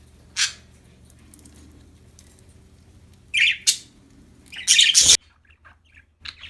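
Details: Happy budgerigars giving scattered short chirps, then a loud harsh burst of scratchy chatter ending in a sudden thump, followed by a few soft notes.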